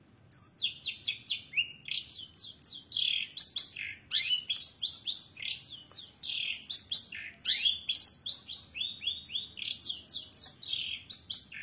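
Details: Long-tailed shrike singing a lavish, busy song: a dense run of sharp, high chirps and downslurred whistled notes in quick succession, some clipped and harsh, with a faint low hum underneath.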